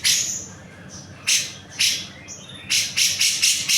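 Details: Cucak jenggot in lively song, recorded as training material for songbirds: a high scratchy note, then spaced harsh bursts, ending in a rapid run of five hoarse, high chattering notes.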